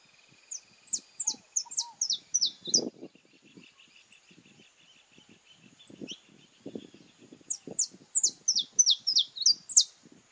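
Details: Saffron finches, Brazilian birds, in a courtship ritual: bursts of high, sharp, down-slurred notes given in quick series, a pause with low scattered rustling, then another run of rapid high notes.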